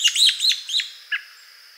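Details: An American robin, featured as more common locally in fall and winter, gives three quick, sharp, high chirps about a quarter second apart, then one softer, lower note after a short pause.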